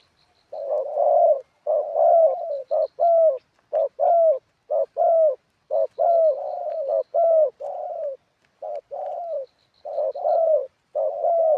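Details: Spotted dove decoy on the ground, in a long run of wild-style song with ขัด and หนุน phrases. Quick wavering coos alternate with drawn-out ones, about one a second. Faint high chirps occur now and then.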